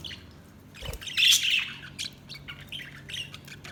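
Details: Budgie chirping with a brief loud squawking burst early on, then scattered short high chirps and warbles over a quiet background with a low thump.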